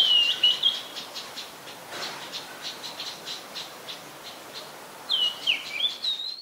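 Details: Adult Common Tailorbird, a common resident, recorded in Ubon Ratchathani, Thailand, on 3 February 2023. Sharp, wavering whistled notes come in short bursts at the start and again near the end, with faint rapid ticking in between.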